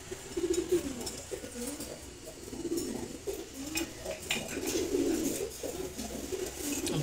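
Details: Indoor Silver Gola pigeon pair cooing in low, rolling, throaty phrases that swell and fade several times, with scattered clicks and scuffling sounds from the room.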